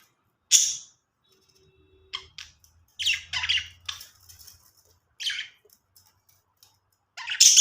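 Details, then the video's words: Pet budgerigars making happy sounds indoors: scattered bursts of harsh, broadband chirps and squawks with gaps of quiet between them, a faint low hum underneath. "cute budgies making happy sounds"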